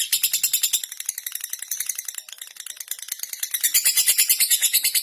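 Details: Lovebird in ngekek long chatter, meant to call rivals and set them chattering too: rapid shrill rattling pulses that dip slightly in loudness midway, then surge back louder and harsher toward the end.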